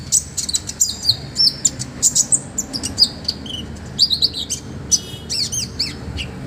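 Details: Master-recording olive-backed sunbird singing a full, varied repertoire: dense run of high twittering chirps, thin whistles and sweeping notes, quick and busy throughout, a low hum beneath.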